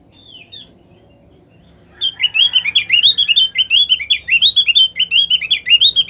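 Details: Opior (white-eye) song used as a lure to get other opior birds singing: after a short faint chirp and a quiet pause, a rapid run of high, bright, warbled twittering notes repeats quickly and steadily to the end.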